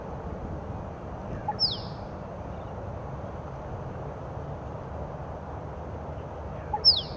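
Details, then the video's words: At Lake Monger near Perth, Western Australia, a male Musk Duck performs its mating display to a female in late afternoon, giving two piercing downslurred whistles about five seconds apart against constant low ambient rumble. "a male Musk Duck displaying to a female"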